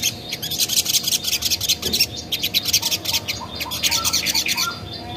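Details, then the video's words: Spiderhunter (sogon) recorded to lure other birds into answering. Harsh, rasping, high chatter comes in quick bursts with short gaps between them. "Burung Sogon Manapun Bakalan Langsung Nyaut Dengar Suara Sogon ini"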